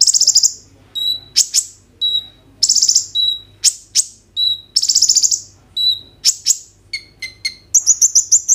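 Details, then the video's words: Caged Ruby-cheeked Sunbird in full song, used as a lure to get konin birds singing, recorded on an Oppo A37f phone: high, buzzy trills and sharp chips repeated in rapid bursts, ending in a quick series of thin rising notes. "KOLIBRI NINJA GACOR FULL ISIAN ROLL TEMBAK, COCOK UNTUK PANCINGAN KONIN BAHAN BIAR BUNYI"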